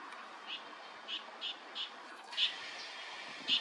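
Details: A male tiger shrike, a rare summer visitor in Korea, in mid-May 2024, gives short, harsh, high notes, about seven in under four seconds at an uneven pace, over a steady background hiss.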